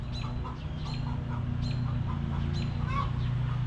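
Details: Backyard hens resting in their coop give short clucks at an uneven, fast pace, some with a faint higher squeaky edge, against a steady low humming background.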